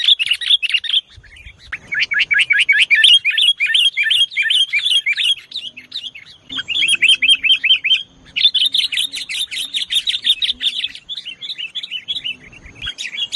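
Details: Sooty-headed bulbul (kutilang) luring recording in the 'nggaruda' style: dense runs of quick, sharp chirps and short whistled notes, many per second, in continuous bursts with brief gaps, some notes overlapping as if from more than one bird.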